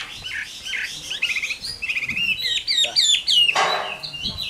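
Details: Wild-caught adult Chinese hwamei in a cage in Vietnam, called 'Tam Hoàng' and praised for its fine voice. Its song is a fast, varied string of whistles and trills. The notes jump between pitches, and a brief harsh rasp comes near the end.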